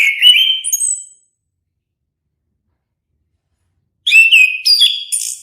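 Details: Sweet warbled song phrases of an orange-headed thrush, one at the start and another after a pause of about three seconds, clear whistles with quick slurred turns, otherwise silent.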